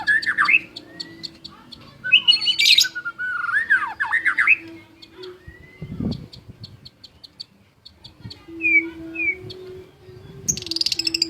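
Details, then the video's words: Lively, varied song from a white-rumped shama: quick chattering and squawky phrases mixed with whistled slurs, then quieter short upslurred notes, with a constant low hum and a few thuds. "Murai Batu Gacor Juara: Kicauan Penuh Gaya dan Energi"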